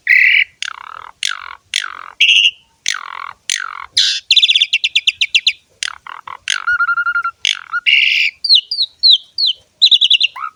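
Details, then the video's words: Asian pied starling in lively full song with varied fill-in phrases: repeated sharp downslurred whistles, a run of rapid buzzy notes, a level whistled tone, then rising chirps; no other sounds. "KICAUAN BURUNG JALAK SUREN GACOR FULL ISIAN MEWAH"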